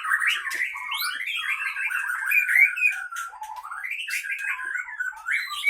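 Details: Caged white-rumped shama of the Leuser Pining strain, Gayo Lues, Aceh, Indonesia, singing while fighting: continuous sharp, warbled whistles sliding up and down, with rapid trilled passages and high piercing notes.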